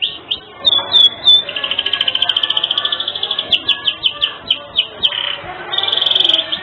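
A canary sings a long, fast, rolling trill of high, bright notes, broken by clear whistled chirps and a buzzy final roll.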